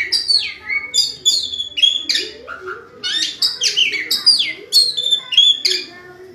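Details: Oriental magpie-robin (kacer) singing vigorously; bright, high, piercing whistles and descending slurs in quick clustered phrases, with a short lower whistled note partway through.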